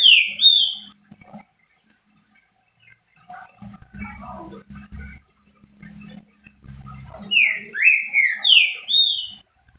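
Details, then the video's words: Green-winged saltator kept as a pet, singing heavily: loud slurred whistles open and close the stretch, with low buzzy pulsed sounds and faint notes in between. "DEIXE SEU TRINCA FERRO LOUCO 🙀 CANTANDO MUITO ESQUENTA TRINCA FERRO."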